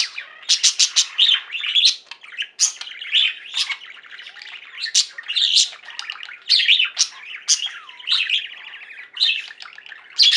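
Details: Singing flock of pet budgerigars: fast runs of sharp clicking chirps alternate with softer buzzy chatter and a curling whistle, a constant busy twitter throughout.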